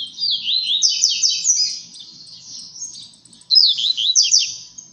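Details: Captive blue-black grassquit singing a strong tui tui zel zel song in the seedeater style while competing with seedeaters. Two fast series of high, sweeping, chattering notes, the first about three seconds long, a quieter gap, then a second loud burst.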